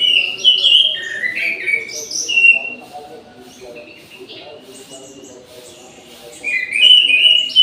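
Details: Orange-headed thrush singing in an aviary at midday: rich, varied whistled phrases with quick warbled notes at the start and again at the end, a quieter gap between, faint low hum behind.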